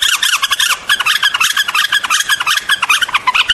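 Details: White-eared bulbul song: dense, continuous run of quick chirping notes, bright and busy throughout, with no pause.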